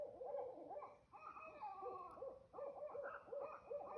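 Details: Barred owl calling: rapid runs of hoarse, wavering hoots and cackling notes, overlapping and uneven, with a short pause before a second burst; quiet background.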